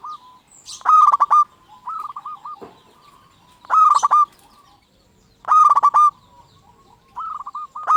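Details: A local zebra dove lure bird sings loud trilled coo phrases about every one and a half seconds, alternating with softer rolling coos from a second dove.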